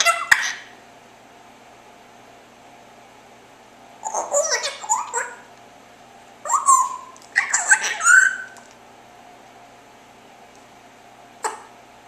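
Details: A pet parrot, Griffin, chirping in the afternoon gives two bursts of chattering, chirpy notes, squeaky and almost speech-like, over a steady indoor hum.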